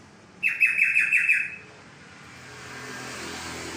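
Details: Olive-winged bulbul song: a quick phrase of about six bubbly, downward-slurred whistled notes lasting about one second, followed by a steady background hum of traffic.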